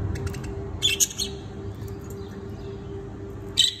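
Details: Budgerigar (Melopsittacus undulatus), call.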